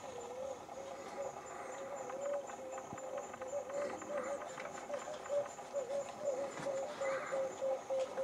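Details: Blue-spotted Wood Dove in Pirang Forest, Gambia, on 12 January 2024, giving a run of soft, low hollow coos quickening to about three a second, over people talking and a faint steady high hiss.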